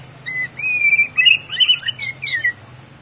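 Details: Ngeplong-style song of an actively singing white-rumped shama, with paired whistles leading into a long sliding whistle and then a fast twittering run of high notes.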